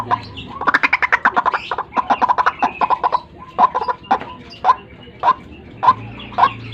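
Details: Morning lure sound of the white-breasted waterhen: a burst of rapid croaking notes, then separate hard, clipped strokes spaced about half a second apart, each with a bright ringing edge.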